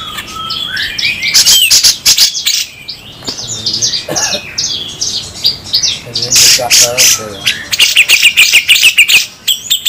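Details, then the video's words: Crested bulbul (cucak jenggot) song, local versus Sumatran bird, harsh 'besetan' style: rapid high scratchy rattling bursts mixed with short rising whistles and slurred notes, loud and dense, with a brief low voice-like sound midway. "Masteran super kasar raja besetan jenggot lokal vs sumatera"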